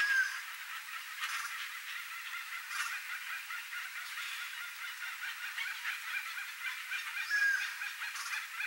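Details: A flock of rare, endangered Chestnut-bellied Guans, endemic to central Brazil, calling in natural cerrado or forest habitat: dense, rapid, overlapping honking notes repeated steadily throughout, with occasional sharper louder bursts.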